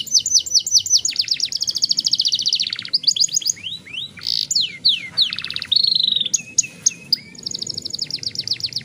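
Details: Young canary in a long rolling song: fast trills of repeated high notes, downward-swept whistles and buzzy rattles running continuously, with a quiet low background hum.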